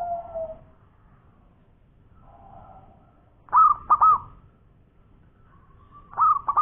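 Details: Local zebra dove (perkutut lokal) song in the koar-koar style: soft low coos and a faint drawn-out tone, then two loud bursts of rapid cooing notes, one near the middle and one at the end.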